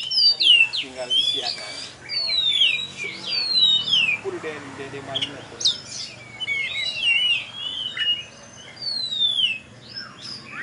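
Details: At a Tebas bird contest, a champion oriental magpie-robin sings loud, sweeping whistles that slide down and repeat in quick runs, with scattered high chirps. Faint voices murmur in the background.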